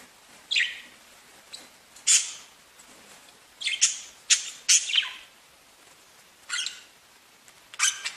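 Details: Budgerigars singing and tweeting: scattered short bright chirps and squeaky notes in separate bursts, with quiet gaps between them.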